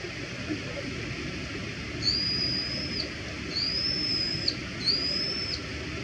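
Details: A Brown-eared Bulbul gives its ordinary contact call, a shrill "hii-yo" heard three times, each note rising then holding level, about a second and a half apart over a steady low rumble of background noise.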